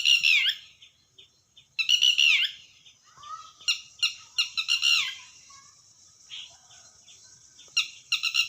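A Red-wattled Lapwing gives loud, shrill, strident notes in bursts of several, some drawn out and slurred, with faint quieter bird calls between.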